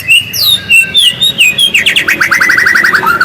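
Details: White-rumped shama song used to encourage singing: clear high whistles sliding down, followed by a fast trill of repeated descending notes ending in a low slur; loud and clean.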